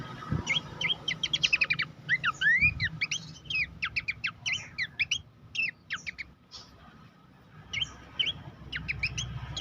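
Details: Horsfield's babbler training song for competition songbirds: fast rattling strings of clear whistled notes, quick upward and downward slurs in dense bursts with short pauses, over faint low background rumble.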